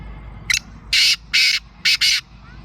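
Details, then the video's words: Black francolin calling in Sindh, Pakistan: a loud, harsh, grating phrase of five rasping notes, a brief first note, then two longer buzzy blasts and a closely paired final two, all within about two seconds. "Kala Teeter"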